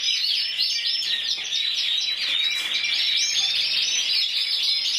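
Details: Champion intense yellow canary from the 2014 Spanish championship, scored 94 points, delivering an unbroken stream of fast, high chattering trills and bright warbled notes at steady loudness.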